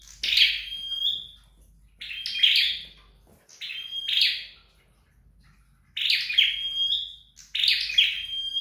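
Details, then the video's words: Flowerpecker in training at home giving five separated high phrases, each a buzzy chirp flourish ending in a clear level whistle, with longer silences between. "Dợt Sâu Đầu Đỏ Tại Nhà"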